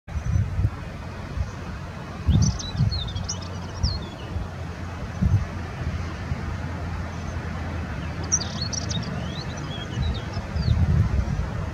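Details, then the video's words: Spectacled Warbler singing on Tenerife: two short, scratchy, high-pitched song phrases several seconds apart, over heavy wind rumble. "Spectacled Warbler singing"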